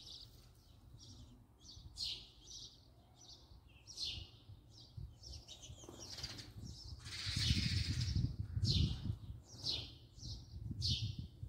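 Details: A house sparrow recorded up close chirps steadily in quick, bright notes, while rumbling and rustling noise builds up through the second half.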